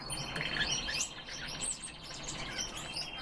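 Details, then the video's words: Captive red crossbills (Loxia curvirostra) give a busy stream of sharp chirping and twittering notes, several per second, from more than one bird, over a faint background hum. "Loxia curvirostra- КЛЕСТЫ ЕЛОВИКИ"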